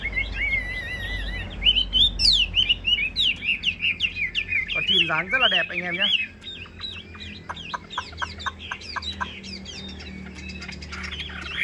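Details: Tame Chinese hwamei in a cage pours out a dense, rapid torrent of high chips and whistles, with a brief lower harmonic sound midway, then a string of sharp clipped notes.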